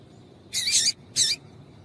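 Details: Female papa-capim (yellow-bellied seedeater) giving her call to get the male singing: two high, scratchy chirps about half a second apart, the first longer, over faint low background hum.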